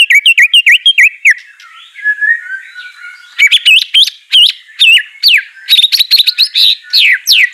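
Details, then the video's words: Song of a white-rumped shama, played to coax a bird that won't sing: crisp high whistles in rapid bursts, a soft twittering pause, then energetic rising and falling whistled phrases repeated quickly, with nothing else heard. "Murai Batu Malas BUNYI Pasti LANGSUNG NYAUT NARUNG dan GACOR"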